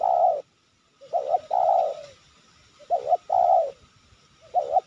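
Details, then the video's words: Wild spotted dove cooing nonstop in Sibolangit while trappers watch their lure traps: low, mellow coos in two-note phrases, each followed by a longer drawn-out coo, repeated with short pauses. "Tekukur ini Menguku Tanpa Henti"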